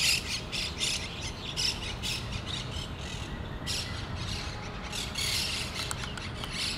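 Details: Loud, raspy squawking from monk parakeets gathered at a communal nest in Pasir Ris Park, bursts repeated irregularly with a dense flurry near the end, set against continuous low-pitched background rumble.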